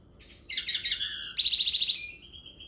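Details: Common linnet singing: a soft twitter, then a burst of bright chattering notes, a rapid rattling trill of about ten pulses, and a thin drawn-out whistle fading at the end.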